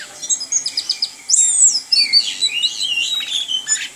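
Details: Orange-headed thrush kept as a songbird, opening with quick repeated high ticks, then a long loud whistled phrase sliding down into warbling, twisting notes and squeaky twitters.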